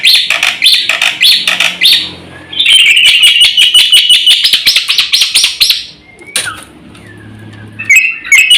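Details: Black-winged myna song used as a lure and training recording for cage birds: loud, dense bursts of harsh chattering and metallic notes, a rapid series of rasping strokes, then a pause and further sharp whistled phrases.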